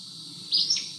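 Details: Acadian Flycatcher song, a forceful "teup" sung often through the breeding season: one high, explosive two-part note, sharp and squeaky like a dog's squeaky toy, with nothing else heard.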